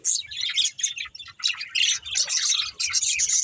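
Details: Several budgerigars at play and feeding, giving choppy bursts of high, harsh squawky chirps and chatter separated by brief silences.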